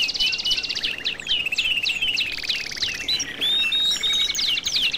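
European goldfinch singing a fast, tinkling stream of high twittering notes, buzzy trills and liquid slurred chirps, with no pauses.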